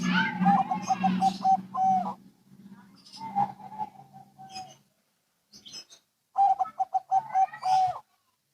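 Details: Local and Bangkok zebra doves answering each other, their soft cooing runs partly covered by a low droning hum at first, then a clear burst of quick stuttered coos near the end.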